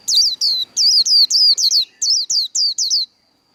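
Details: Japanese white-eye líu đấu competition song: eleven or so strong, high-pitched whistles, each slurring downward, delivered about three to four per second in a lively, slightly uneven string.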